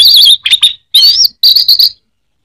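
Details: Orange-headed thrush, a favourite caged songbird in Indonesia, singing three loud bursts of high, buzzy chirped notes in quick succession.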